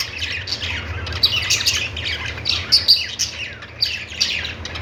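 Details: Budgies twitter and warble in a busy high chorus, with a few sharp squeaky accents scattered through steady chatter and a faint low rumble in the background.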